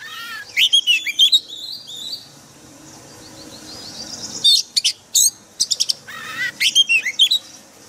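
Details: White-rumped shama forest-style song for daily training of caged birds: a burst of clear rising and falling whistles, then about two seconds of quieter drawn-out notes, then sharp high chips and warbled phrases.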